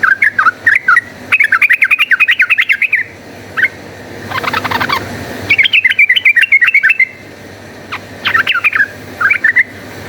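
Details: Yellow-vented bulbul in energetic fighting song used as a lure: fast, bubbly warbled phrases in several bursts, separated by a brief buzzy rattle near the middle.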